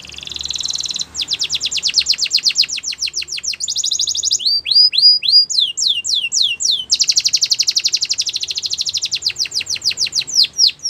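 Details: Canary singing for training young canaries: a long varied song of fast buzzy trills that alternate with bright rising and falling whistled sweeps, loud and continuous throughout.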